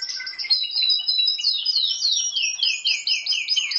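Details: Singing pet canary delivering fast looping trills, rising and falling sweeps repeated in quick succession at high pitch.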